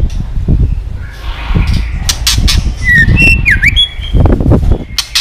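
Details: Female white-rumped shama giving the 'tạch líu' call used to work males up for fighting: clicks and a bright whistle with a sharp V-shaped dip, partly masked by loud low-pitched rumbling.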